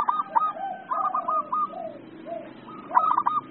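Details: Zebra dove (perkutut) in an agitated state giving rapid, stuttering staccato notes running into soft gurgling coos, then starting again after about two seconds of quieter cooing.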